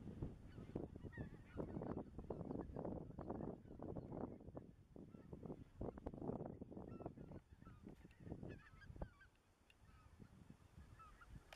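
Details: Under the spring moon on 25 March 2013 in the Dannenberger Marsch, greater white-fronted geese give distant yelping calls amid dense, rapid, irregular low pulsing noise that eases toward the end.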